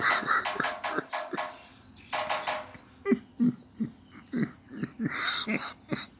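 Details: Woodpecker hammering on a tin soffit during its morning and evening sessions: quick rattling bursts of blows at first, then slower, separate, ringing knocks spaced roughly a third of a second apart.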